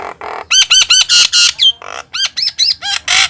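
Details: Javan myna singing vigorously, its song meant to prompt other birds to sing along: a rapid run of harsh, harmonic-rich squawks and rasping notes, with arched nasal calls and brief whistled slurs between them.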